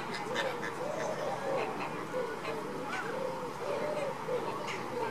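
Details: Caribbean flamingos during baseline activity: nasal, arched honking notes repeated about every half second over a steady murmur of background noise.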